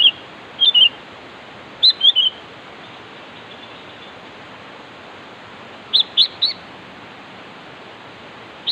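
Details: Sooty-headed bulbul calling to challenge a rival: short, bright, chirpy phrases of two or three quick notes, given in three bursts several seconds apart, over a steady loud hiss.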